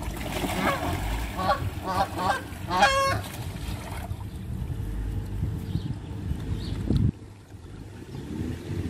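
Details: Hand-fed Canada geese honk in a quick run of nasal, harmonic calls over the first three seconds, then quiet down amid background rumble and a person's voice.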